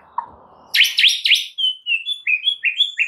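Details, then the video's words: Song of a white-rumped shama, played to get other birds singing: three loud sweeping chirps, then a quick run of short whistled notes alternating between two pitches, with low background noise before the bird starts. "PANCINGAN MURAI FULL ISIAN"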